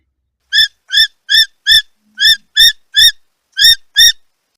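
A kiwi gives nine shrill, rising whistles, each brief and ringing, repeated about every half second with short gaps; nothing else is heard.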